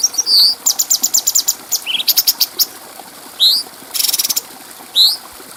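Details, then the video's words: Cucak cungko bulbul on a clear training recording for other birds: a whistled upslur, rapid high ticking chips, scattered upward-sweeping whistles and a short dense buzz between them. "Masteran Burung Cucak Cungko Suara Jernih"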